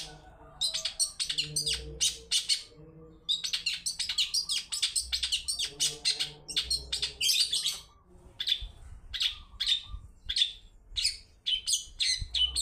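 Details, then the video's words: Long-tailed shrike, a lure recording played to prompt other birds into singing, with a 'toet toet' style; dense bursts of harsh, chattering high notes in rapid runs, broken by short pauses, with a faint low hum beneath. "Pancingan cendet toet toet || ahlinya mengundang bunyi"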